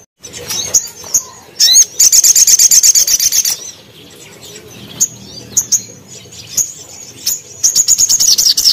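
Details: Crimson sunbird song from a cage-bird training recording: short high chips lead into a fast, piercing trill of evenly spaced notes, followed by sparse chips and another trill at the end.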